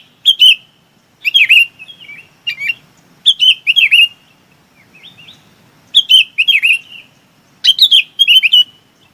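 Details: Bulbul calling the flock with short bursts of bright, slurred chirps, each a cluster of two or three quick notes, repeated about every one to two seconds with quiet gaps between.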